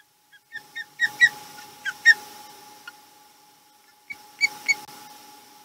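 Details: Osprey at a Chesapeake nest on 28 July 2020, calling in alarm as something bothers the bird at the nest: short, sharp whistled chirps in quick bursts of two to four, pausing between bursts, over a steady electrical hum.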